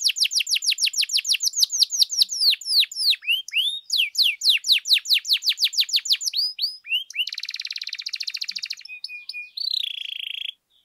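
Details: Lure song of a canary, meant to stir other canaries into singing: fast downslurred notes rolling in series, then slower sweeping phrases, a dense buzzy rattle, and a closing steady whistled tone.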